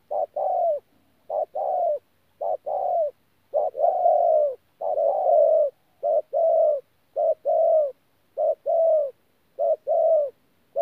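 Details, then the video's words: Spotted dove, wild-caught, in 'thổ pha gù' style cooing at Tu Mơ Rông on 14 January 2019: a long run of about ten rhythmic phrases, short note then sustained falling coo, continuous and loud, clean background. "BỔI THỔ PHA GÙ QUÁ TỐT"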